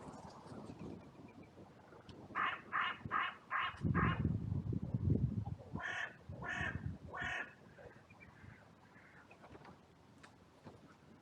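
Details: Crows in a cemetery on a sunny, blue-sky day erupt in an outcry, arriving from all directions after two crows fought briefly. There are two bursts of rapid, harsh, rasping caws, five then four, with rustling and a low rumble between them.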